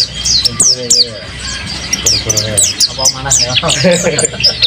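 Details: Kept mountain white-eye singing vigorously: rapid, high, thin chirps and down-slurred notes tumble over one another while lower voice-like sounds murmur beneath.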